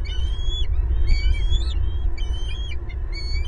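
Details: Bald eagles at their nest in Southwest Florida, adult pair with two eaglets all at home, April 2022, camera recording: rapid run of high, thin, ringing whistles, several per second, over deep steady rumble.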